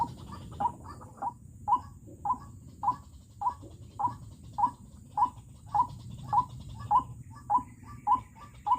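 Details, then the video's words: Decoy White-breasted Waterhen, a bird kept to lure and trap wild waterhens, calling in a steady series: short, sharp notes about every 0.6 seconds, each followed by a softer echoing note, over a faint steady high whine. "Pikat ruak-ruak ku garang sekali"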